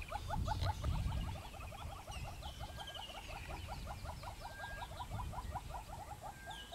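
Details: Southern yellow-billed hornbill in Kruger Park giving a long, steady series of hollow clucking notes, about four per second. Other birds chirp higher behind it, over a low rumble.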